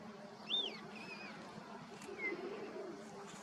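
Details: Indian spotted creeper at Tal Chappar Black Buck Sanctuary, Rajasthan, India, January 2022, giving a few thin, high whistled notes, some slurred up and down, over a low steady rumble and faint distant voices.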